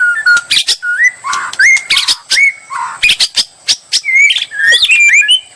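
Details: White-rumped shama song played as bait to provoke an answer: clean rising whistles alternating with sharp clicks and buzzy bursts, spaced phrases across the clip.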